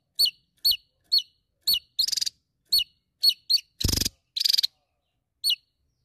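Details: Javan tesia singing energetically against a rival: sharp, high, falling whistled notes repeated about every half second, broken by several harsh pulsed buzzy rattles, one loud and broad.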